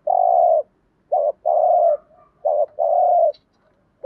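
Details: Spotted dove decoy voices, a compilation of calling, urging and soft cooing used to stir the birds: loud, low, hollow coos, long notes alternating with short ones, repeated in a steady rhythm with clean pauses.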